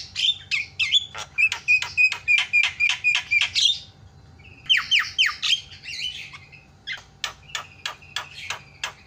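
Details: Javan myna calling as a lure for other mynas: fast series of sharp ticking notes with a steady whistled tone underneath, repeated in runs separated by short pauses.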